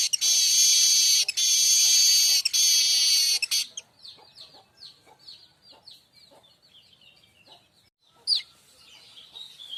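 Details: Song of the streaked weaver (manyar kembang), offered as tutor song for magpie-robins and shamas: three seconds of loud, harsh, rattling buzz, then quieter rapid high ticking chips and one sharp final note.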